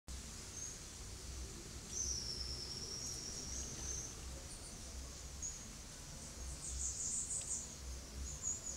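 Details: Blue-black grassquit recorded in São Paulo, Brazil on 20 November 2019, giving thin, high buzzy notes, faint and irregularly spaced, over a steady background hiss and low rumble.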